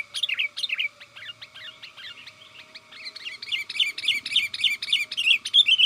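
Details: Sooty-headed bulbul calling companions, a sound used to attract wild bulbuls in forest: continuous rapid chattering of short bubbly, bouncing notes, growing louder and denser over six seconds, with a steady faint background tone.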